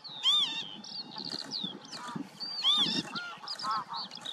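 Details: Northern lapwing calls: arched, whistled notes that rise then fall, repeated several times, with thinner wheezy calls from other birds and a low rumble underneath.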